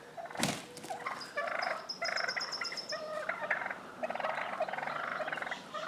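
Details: Fighting wild turkey toms in Willits, California, while other toms act ready to fight; after a loud thud, layered rattling gobbles pour out continuously, with a high whistled streak above.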